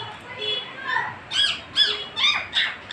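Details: Talking parrot producing a string of short, rising, squawky speech-like syllables, about five bursts in three seconds, in a small room.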